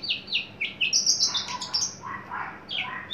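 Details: Tame caged adult male Javan bush lark just coming into breeding condition, singing quick high downslurred whistles followed by a bright trilled burst and lower rising notes.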